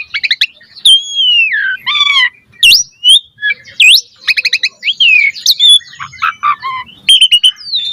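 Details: Asian pied starling training song: a busy medley of whistled slurs, rattling chatters and sharp rising notes, loud and almost unbroken.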